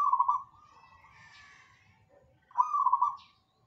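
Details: Energetic zebra dove singing: a rolling, beaded coo phrase, a softer trailing warble, then another stuttered trill at about 2.5 seconds, with faint background hum.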